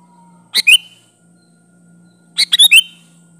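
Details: Kutilang, the sooty-headed bulbul, giving lively lure song: a two-note phrase, then about two seconds later a fuller four-note bubbly phrase ending in a slur, over a steady low hum.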